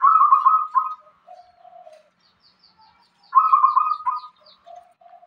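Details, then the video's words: Local zebra dove singing steadily in the irama style: a loud, bubbly trilled coo phrase followed by softer, lower drawn-out coos, the whole phrase repeated after about three seconds, with quiet surroundings. "perkutut lokal irama gacor"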